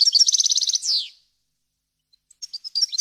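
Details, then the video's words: Goldfinch song for training fledglings: a fast, even string of high chirps ends in a downward buzzy slur, then about a second of silence before scattered twittering resumes. "غناء طائر الحسون ، صوت صافي وخالي من الاخطاء لتسميع الفراخ"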